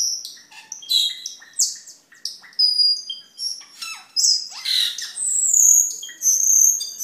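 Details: Training and luring material of cucak keling: bursts of squeaky, scratchy notes and sharp chips break into a rich stretch of high drawn-out whistles toward the close.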